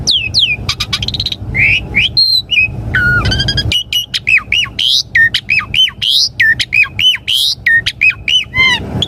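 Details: Song of an Asian pied starling, used to coax caged birds into replying and singing; varied whistles and squawky notes give way to a fast series of looping, repeated whistled phrases with a steady low hum beneath.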